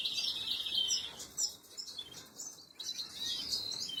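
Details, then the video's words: Canary chicks begging while being fed, recorded 26 April 2022: thin, high, wavering squeaks in a continuous stream, with brief pauses and softer stretches in between. "Canary Feeding Baby"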